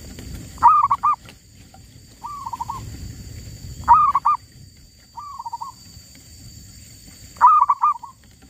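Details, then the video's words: Wild zebra dove calls recorded during trapping that landed a female. Loud phrases of two or three hard notes sound every three to four seconds, and softer trilled coos fall between them. Low rumbling background noise runs throughout. "Ngincar suara besar dapatnya yang Betinanya"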